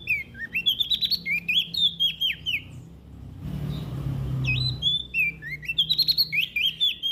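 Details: Energetic olive-backed tailorbird song from West Nusa Tenggara, played to coax quiet birds into singing: lively bursts of sharp whistled, up-and-down slurred notes, broken by a short pause filled with low rumbling noise.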